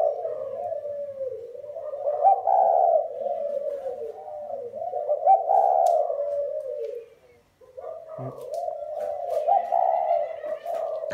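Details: Cooing spotted doves from a comparison of Thai and Vietnamese lines. A continuous layered stream of low, mellow coos wavers up and down for about seven seconds, drops out briefly, then resumes with soft higher tones.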